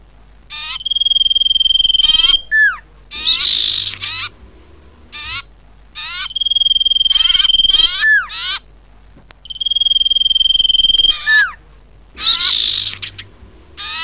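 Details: Common iora calls played as a trapping lure. A pattern repeats about every four and a half seconds: a long steady high whistle within buzzy harmonic notes, a sharply falling slurred note, then a short buzzy burst.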